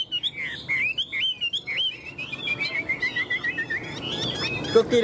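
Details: Tame Chinese hwamei in a cage, clinging to the bars with wing and tail display, delivering short looping whistled phrases, then a fast series of clear repeated notes and a few lower chirps.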